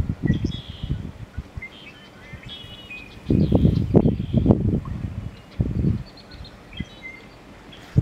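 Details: Male American bittern (Botaurus lentiginosus) giving its "onk, onk, onk, onk-a-chunk" display call: deep, gulping, booming pumps in low bursts, with thin chirps of small birds high in the background.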